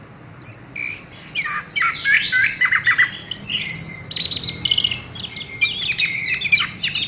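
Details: Caged Horsfield's bush lark pouring out a busy mixed song of sharp chirps, short buzzes and high trills, phrases changing every second or so, over a quiet low hum.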